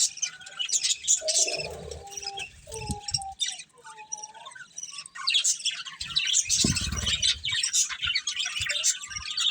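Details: Budgerigars from a breeding pair warble in high scratchy chirps, with longer whistled notes and some low rustling and knocking in between.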